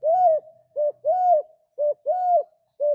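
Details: Spotted dove (tekukur) song, played to train other doves to sing: soft, low coos, a long rounded note then a short one, the pair repeated about once a second, with no other sounds.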